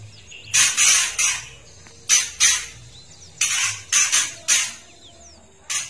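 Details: Female oriental magpie-robin giving a rattling trotol call, used to provoke males into agitation and singing; harsh broadband bursts in short clusters of two or three, separated by brief pauses.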